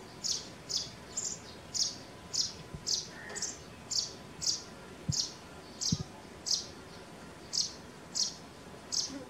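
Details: Sparrow repeating bright single chirps at an even rhythm, nearly two a second, against constant low noise.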